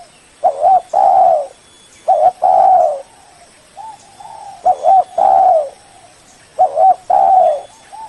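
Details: Spotted dove lure call to call a rival: three repeated phrases of a quick wobbling note plus a long loud coo, with quieter single coos in between, low and mellow.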